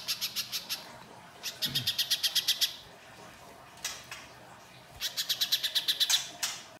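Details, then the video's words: Little spiderhunter lure song in the gacor mbeset kasar style. Quick bursts of piercing high notes of about eight to ten notes each alternate with short gaps, and there is a faint low knock. "Pancingan Pijantung Pisang Gacor Mbeset Kasar, Pijantung Bahan Langsung Nyaut Bunyi"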